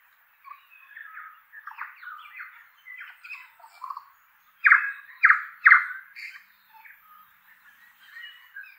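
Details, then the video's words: Flock of wild tui feeding in oaks in inland Kapiti, New Zealand, singing a highly varied mix of chattering notes, mellow gurgles and three loud harsh bursts in quick succession. "Tui Flock with Bird Song in Oaks"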